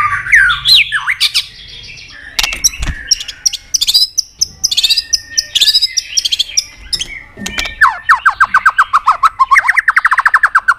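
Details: White-rumped shama trained to sing many wild-bird voices in long strings, delivering swooping whistles, rapid clicking notes and a closing run of fast repeated chirps that drop slightly in pitch.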